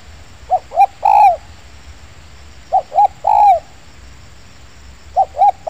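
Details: Spotted dove in an oil palm plantation during a dove-luring session: phrases of two short hooting notes followed by a longer, drawn-out falling coo, repeated roughly every two to three seconds over a faint low hum.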